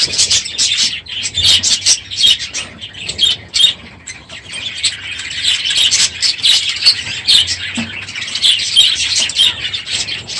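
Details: Many budgerigars kept in an aviary, loud one morning as the breeding season ends; constant high-pitched chatter with bright chirps and squawks, briefly quieter around the middle, then swelling again.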